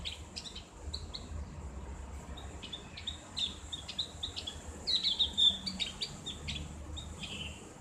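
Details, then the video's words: Ngriwik-style twittering of a Javan grey-throated white-eye with a clear ngeplong voice, used as a training recording: soft scattered high chirps that grow into a brighter whistled run midway, over low background noise. "terapi ngriwik buat burung opior jawa/cak gentong | suara ngeplong"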